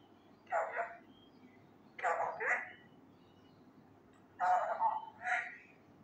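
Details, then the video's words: Male Indian ringneck parakeet imitating Urdu phrases like "kia hogaya" repeats a two-part, word-like phrase three times, about every two seconds. "MY Talking Raw Male parrot try to learn words loudly (kia bol rha ho me,kia howa,kia hogaya,Mithu he"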